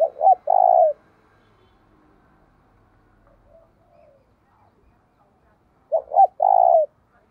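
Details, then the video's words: Spotted dove decoy cooing to provoke rival birds; a phrase cut at the start, then after a long pause a complete one of two short notes and a sustained coo, with faint background sounds between. "cu gay kich boi nhanh noi gù"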